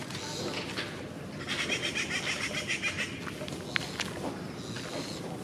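A treepie gives harsh, rasping chatter in quick pulsed bursts with a few sharp clicking notes, over a steady background hiss.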